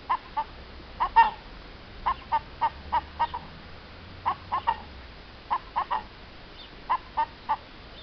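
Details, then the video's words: Hen recorded in April 2015 giving short clucks in loose groups of two or three, evenly spread, over a steady low background hum. "Le chant d'une poule"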